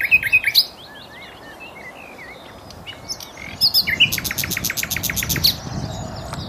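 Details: Common nightingale in song at Cowpen Bewley, opening with quick sharp chirps, then a quieter stretch of soft whistles before a fast, loud series of evenly repeated hard notes, with other birds faintly audible.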